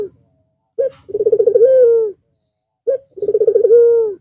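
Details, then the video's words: Two cooing phrases from a white, red-eyed Barbary dove resuming its song after the Eid al-Fitr holiday: each opens with a short clipped note, then a throbbing roll that settles into a steady, gently falling hum. "Puter Putih Mata Merah Manggung Lagi Setelah istirahat sekian Lama"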